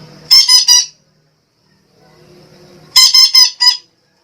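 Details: Harsh, nasal squawks of a Sumatran red-breasted parakeet, used to attract birds, come in two bursts of three to four rapid calls about two seconds apart, with a soft low hum between them.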